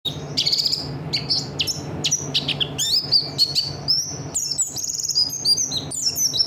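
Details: Oriental white-eye of the buxtoni form giving a lively song used as training material: dense, rapid high chirps and short whistled slurs, many sweeping down or up, tumbling almost without pause over a steady low hum.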